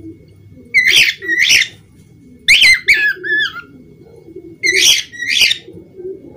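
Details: Pair of grating budgerigar squawks, a run of chattering whistles, then another pair of harsh squawks, spaced across several seconds against a faint low drone.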